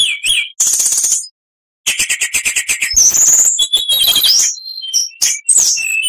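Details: Oriental magpie-robin (kacer) in full song; harsh buzzy rattles broken by a short silence, then a rush of varied high whistles, squeaks and chatter.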